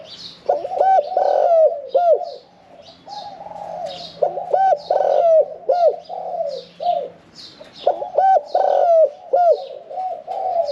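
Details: Spotted dove singing 'khan yon 1 kuk' song from its cage, a middle-voiced bird caged one year four months; three loud looping coo phrases with long pauses, and steady softer cooing and twitters from neighbouring birds.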